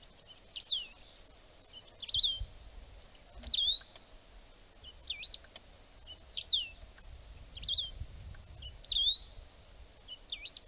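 A wedge-tailed grass finch repeats a short, high, slurred whistled phrase about every one and a half seconds, rising then dipping, over faint low background rumble.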